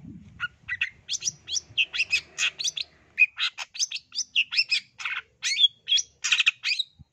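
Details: East Java long-tailed shrike singing vigorously, played to coax quiet birds into singing: a fast, continuous chatter of varied short notes, some squeaky and some rasping, in a dense, almost unbroken stream.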